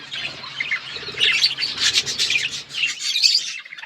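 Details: Chirping budgerigars in a flock: a dense chorus of high warbled chatter and squeaky notes, steady throughout.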